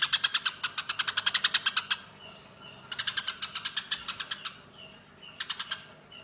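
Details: Eurasian tree sparrows squabbling, intended as training material for cage birds: a two-second rush of rapid harsh chirps, a pause, a second long run, then a short final burst.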